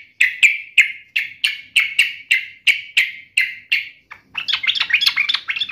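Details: Yellow-vented bulbul taunting a rival: about ten evenly spaced sharp chips, then a burst of fast bubbly chatter.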